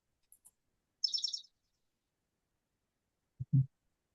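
Chipping Sparrow: a half-second burst of very fast, dry, high chips like a tiny sewing machine, after two faint high ticks; a low thump follows.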